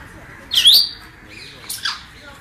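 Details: Parrot giving two harsh, high squawks about a second apart, the first carrying a sharp downward-sliding whistled tone; background otherwise quiet.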